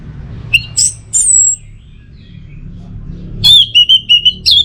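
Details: In teler style, an orange-headed thrush gives a few high whistles and a drawn note, then after a pause a rapid string of even, repeated whistled notes ending in a rising slur.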